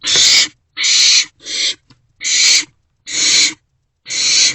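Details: Wild barn owlets in an owl box sharing a meal after midnight in late March 2024; six loud, rasping, broadband hisses, each under a second, separated by short silences.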